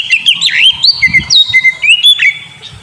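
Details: Oriental magpie-robin lure song for a sulking kacer, continuous rich whistling with looping slurs, sharp upward flicks and steady held notes, with faint low thumps beneath.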